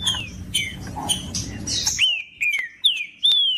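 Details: Green-winged saltator singing to warm up a caged bird for tournaments; clear loud whistled notes, each sliding downward, repeated about every half second after a brief noisy start.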